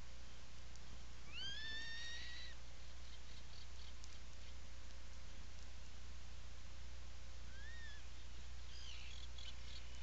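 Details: Atlantic puffin in a nesting burrow at Seal Island National Wildlife Refuge, Maine, on 17 July 2018, recorded in the afternoon by a burrow camera: a rising then level whistled call near two seconds, a shorter one later, steady low hum beneath.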